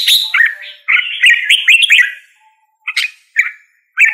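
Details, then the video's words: Singing red-whiskered bulbul: one rich, warbled phrase of several quick slurred notes, then silence and three short, sharp chirps spaced about half a second apart. "Red whiskered Bulbul Singing Call Sound"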